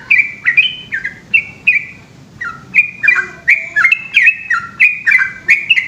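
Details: A yellow-vented bulbul sings a long 'ropel' song after dark. Clusters of sharp, downward-slurred chirps come in quick bursts, separated by a brief pause near the middle.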